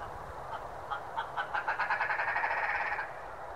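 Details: Wild red grouse calling at sunrise on the Brecon Beacons, Wales, the distinctive 'go back, go back' call: a rapid accelerating series of hoarse clucking notes running into a rattling chatter, over steady wind noise.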